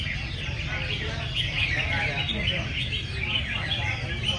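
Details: Competition singing from a flock of red-whiskered bulbuls at a busy session attended by many fans: tangled, quick, whistled and chattering phrases from several birds at once, with low background murmur beneath.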